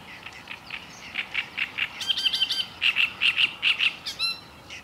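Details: Black-necked grebe giving quick, squeaky whistled calls, about two per second. Brief bubbling trills mix in, set against a quiet hiss.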